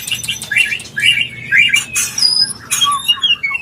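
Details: White-rumped shama mating call, used to bring a bird into breeding condition: quick high chirped notes repeated about twice a second, then a long thin whistle and descending sweet notes.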